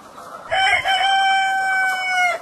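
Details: Farmyard rooster in spring, excited after an old hen began brooding another hen's egg, lets out one long sustained crow lasting about two seconds, steady and rich-toned, after a brief rough onset; a person's voice just before.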